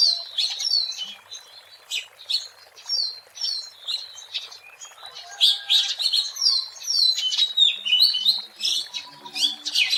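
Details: Wild Oriental magpie-robin song for luring birds: rapid, varied whistled notes and sharp clicks in quick succession, nearly three a second, with a faint lower bird call late on.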